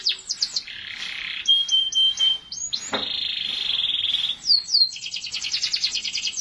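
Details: Canary singing, from a long recording of continuous song intended to get other canaries singing: high varied phrases mixing rapid chirping trills, a thin steady whistle and a long buzzy rolling trill, ending in fast repeated notes.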